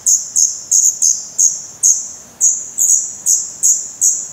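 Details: Young black redstarts with open eyes in their nest, Portugal, May 2020; rapid high-pitched shrill calls, about twelve in four seconds, some coming in quick pairs, loud and close to the camera.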